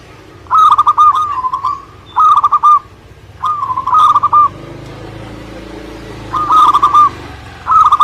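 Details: Song of a local Indonesian zebra dove: repeated short trills of soft, rolling coo notes, five phrases spaced roughly every one to one and a half seconds, over a low rumbling background.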